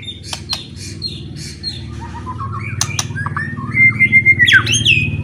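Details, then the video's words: Loud provoking song of a white-rumped shama, meant to stir rival shamas to fight: soft high notes and sharp clicks, then a climbing series of short whistles ending in a long sustained whistle and a downward slur, over a low hum. "AWAS BIKIN EMOSI,, KICAUAN NYA LANTANG,,PASTI LANGSUNG FIGHTER BONGKAR ISIAN"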